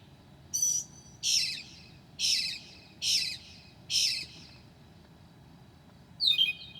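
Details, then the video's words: Northern mockingbird singing at 2 a.m. on 9 July 2008, mimicking other birds: five harsh, buzzy high notes at roughly one-second intervals, then a sharp descending whistle. "Mocking bird at 2:00 A.M."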